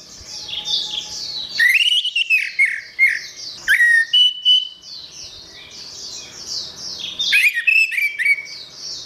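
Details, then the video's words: Orange-headed thrush (anis merah) singing vigorously (gacor), a song used as tutor material for caged songbirds: rich, varied phrases of high slurred and buzzy notes mixed with clear falling whistles, in bursts separated by brief pauses. "Suara Burung Anis Merah | Gacor"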